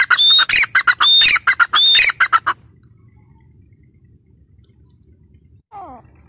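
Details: Female grey francolin, known locally as teetar, gives a run of loud, harsh, rasping notes in quick succession for about two and a half seconds. Near-silence follows, then a faint short descending note near the end.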